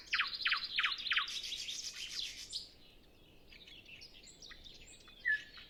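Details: Nightingale singing early in the morning before sunrise on a windless day, other birds still silent: a run of four loud, rapidly repeated sweeping notes, then buzzy trills and softer varied whistles with pauses.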